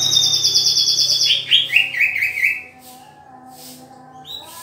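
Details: Green leafbird during pairing: a sustained high whistled tone, then a string of about six quick, descending chirpy notes over a second and a half, followed by faint background noise and a short rising note at the end.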